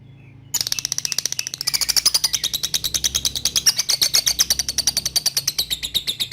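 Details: Lovebird in the Indonesian ngetik style, calling a rival, used to train young birds to chatter: after a brief quiet start comes a fast, steady run of shrill, rasping pulses, several each second, continuing to the end.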